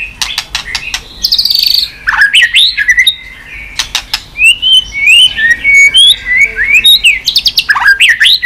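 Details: White-rumped shama flicking its tail on a perch, stimulated into fast, fiery singing: rich varied whistles, sharp upward slurs and rapid clicking chips in quick bursts.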